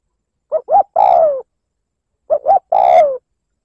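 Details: Spotted dove lure call used to provoke a rival male, two short rising coos followed by a longer falling coo, the three-note phrase given twice about two seconds apart, clean with no other sounds.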